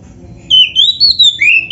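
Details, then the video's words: Oriental magpie-robin on a training recording for caged birds, singing in the 'gacor' style. Loud, pure whistles glide and waver at high pitch in short connected phrases, with a lower falling whistle at the end. "MASTERAN KACER GACOR FULL ISIAN JOS"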